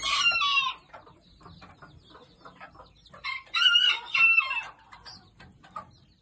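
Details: Backyard mother hen guarding her chicks while eating at night gives loud raspy squawks at the start and again midway, with soft irregular clucks and thin chick peeps between.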